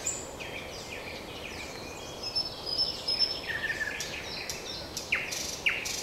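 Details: Common nightingale singing in the wild: scattered whistled notes and quick high phrases with sharp upward strokes near the end, over steady background noise.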